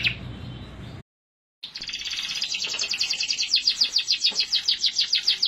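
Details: Canary song that starts, breaks off briefly, then resumes as a fast even trill of short repeated notes, about three and a half per second, buzzy and rolling, growing louder toward the end.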